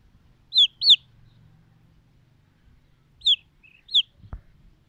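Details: Silkie chicken chicks peeping: a pair of sharp descending high peeps, a pause, then two more single peeps spaced under a second apart, with a soft click or knock at the end over faint low hum.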